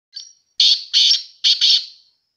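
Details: Black francolin, known locally as kala teetar or sindhi teetar, gives a loud, harsh call: a faint short note, then four grating, buzzy bursts in two quick pairs over about 1.5 seconds, with a quiet background.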